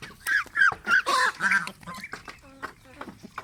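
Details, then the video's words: Pet domestic geese calling: a run of short, harsh, nasal honks, about three a second, then quieter broken calls and faint background voices. "enjoying pet Goose"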